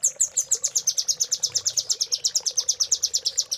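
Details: Velvet-fronted nuthatch in a training master song for caged birds, 'cililin' filling style. A steady, rapid string of high, sharp chips repeats about seven times a second without a break.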